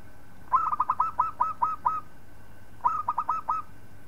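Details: Local-type zebra dove (perkutut) song used as a model for training other birds: a short rising note followed by a quick series of clipped, mellow coos. After a pause comes a second shorter series. A steady low hum sits underneath.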